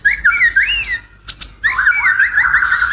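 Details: White-rumped shama with a hoarse voice, giving looping whistled phrases broken by a brief pause with two sharp clicks, then a wavering, rising and falling whistled run.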